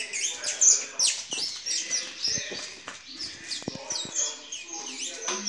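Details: Bright yellow saffron finches at a licensed bird breeder in Brazil during mating, September 2019. Quick twittering chirps and thin whistled slurs run in uneven bursts, and low human voices murmur in the background.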